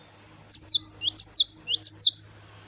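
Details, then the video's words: Gelatik batu, the cinereous tit, in lively "wucit wucit" song: a clear phrase of five swooping two-note whistles over a steady low hum in the background. "GELATIK BATU Wucit wucit Gacor"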